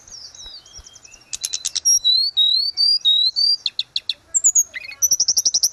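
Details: Grey-cheeked bulbul in full song, recorded to train cage birds: soft high notes, then loud repeated slurred whistles and sharp chirps, ending in a fast, even series of pulsed notes.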